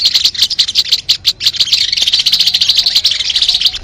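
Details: Sogon bird song meant for luring: a busy, shrill, buzzy chatter of rapid high notes that varies in loudness and carries on without pause.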